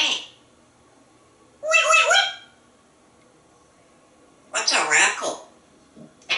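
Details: Talking parrot at home with its owner utters two separate bursts of imitated speech, one a meow-like sound, with pauses between and a quiet room behind.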